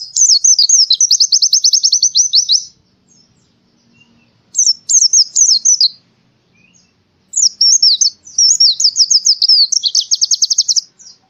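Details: White-eye (pleci) from Central Java, Indonesia, singing as in the forest for a bird-training recording: three bursts of high chattering song, each mixing twisted notes with fast regular trills, separated by quiet pauses of about two seconds.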